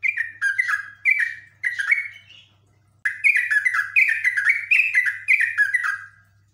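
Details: Highly agitated yellow-vented bulbul delivering long, energetic 'ngekek' chatter: loud bubbly phrases of quick falling notes, four bursts, a brief pause, then a denser rush of repeated descending chirps, with a faint low hum beneath.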